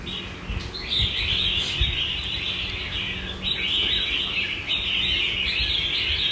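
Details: A captive Red-whiskered Bulbul with a very loud bell-like voice, filmed July 15, 2024, sings ringing, high, bright phrases running one into the next with hardly a pause over a low background rumble.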